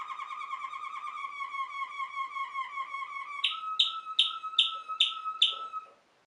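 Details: Waterslager (Malinois) canary from a Belgian song breed: a low rolling, gurgling trill held for over three seconds, followed by six sharp bright notes repeated evenly.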